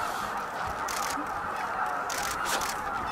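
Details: Greater white-fronted geese arriving in huge numbers, about 15,000, at their Miyajima-numa roost in Bibai, Hokkaido, 11 April 2016, 18:00–18:30. Loud, unbroken babble of overlapping honking from countless birds, with occasional hissing gusts.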